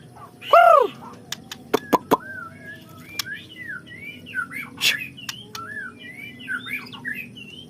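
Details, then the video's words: White-rumped shama singing to coax other shamas into their whole repertoire: a loud downward-sweeping note, a few sharp clicks, then a chain of soft rising and falling whistled phrases against a low hum. "suara burung muray !!!! bikin muray anda bongkar isian"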